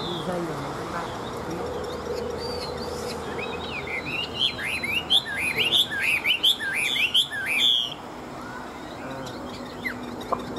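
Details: Wild-caught adult Chinese hwamei, a large fighting bird that spreads its wings, held for sale in Vietnam, sings a burst of loud slurred whistles rising and falling in quick succession over about four seconds, against a low steady background hum.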